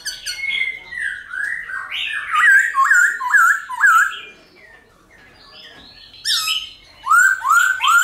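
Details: Wild-style song of a silver-eared laughingthrush, meant to make captive birds sing: rich whistled phrases of repeated dipping notes, a quiet pause, then loud rising slurred whistles in a short series.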